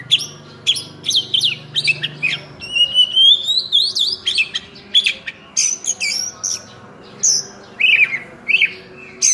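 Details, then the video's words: Kacer in gacor mode with full isian: harsh squawky notes and short chirps, then a long wavering rising whistle, followed by more bright slurred whistles spaced about a second apart, over a low hum. "Kacer Full Isian"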